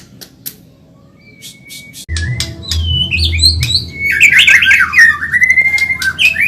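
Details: White-rumped shama, Medan type, singing fast and lively for caged-bird training. A lone thin whistle is followed by rising whistles, then a tangled burst of warbled notes and a long falling trill over a low steady hum.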